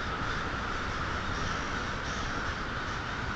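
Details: Crows at twilight on 1/6/12 at Polish Hill, a dense, continuous din of many overlapping harsh caws with no clear gaps, steady in loudness throughout the short stretch.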